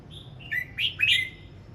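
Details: Red-whiskered bulbul in morning voice practice: a soft thin opening whistle leading into two loud, rich, warbled notes that rise and then fall, all within under two seconds.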